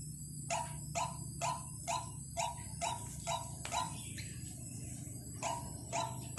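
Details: White-breasted waterhen lure call: a series of short, harsh notes with a strong tone near the lower middle range, repeated evenly about twice a second with a short pause near the end, over a steady low hum.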